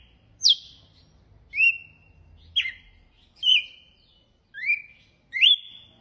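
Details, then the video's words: Six separate whistled notes from a red-cowled cardinal singing açoite, each a quick sharp slur settling into a short steady tone, spaced about a second apart. "GALO DE CAMPINA CANTO AÇOITE"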